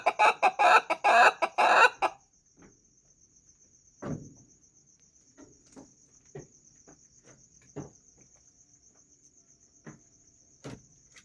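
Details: Ayam Ketawa (laughing chicken) crowing: a loud burst of about eight rapid, harmonic, stuttering notes packed into two seconds, then quiet scattered short knocks and clucks, with a steady high cricket trill running throughout.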